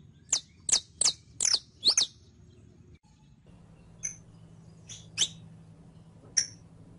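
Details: Saffron finch (Sicalis flaveola), a "canario criollo", sings sharp, high chips, five quickly in the first two seconds, then scattered single notes over a faint low hum; a tutoring recording to teach captive birds to sing.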